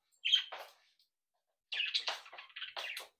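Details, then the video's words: Home-bred pet budgerigars, a playful brood said to chatter, sing and mimic, produce a short chirp followed by a rapid run of buzzy, warbling chatter lasting over a second, indoors. "Sonidos ,Evolución y Convivencia de mi Cría de Periquitos Australianos"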